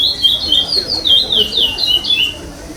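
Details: Competition chestnut-bellied seed finch, pardo form, fifth at the eighth 2021 state stage, delivers non-repeating song: bright high whistles in fast succession, most slurring downward, with faint background murmur.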